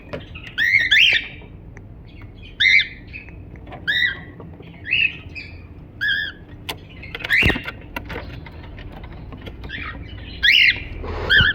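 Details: Cockatiel giving a long series of arched, nasal chirps at irregular intervals, some doubled, with softer twittering between calls and a low rumbling background.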